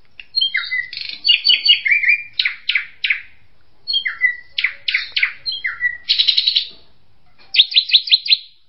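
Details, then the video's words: A drongo gives a varied run of sharp whistles, metallic chips and buzzy, rattling notes in three quick bursts, with no other sounds. "SUARA BURUNG SRIGUNTING"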